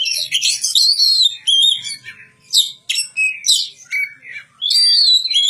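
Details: Oriental magpie-robin singing a varied run of loud whistled and buzzy phrases, notes sliding between high and very high pitch, some rising then falling, delivered in bursts with short pauses.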